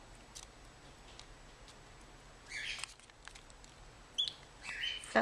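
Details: Sixteen-day-old plover chick in care, now feeding itself: a few short, thin, high peeps near the end, preceded by brief rustling and sharp pecking taps in a quiet room.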